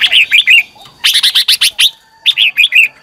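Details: Red-whiskered bulbul giving a loud morning training song, meant to stimulate newly caught birds to sing: three dense runs of rapid, rolling, chirpy notes, about five to seven per run, with brief pauses between runs.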